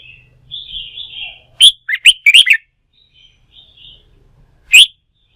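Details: Wild-caught red-whiskered bulbul, stirred up to sing for song-fighting training, gives a loud burst of short, bright, rising-and-falling whistled notes, then one more sharp note after a pause, over soft warbling in the background.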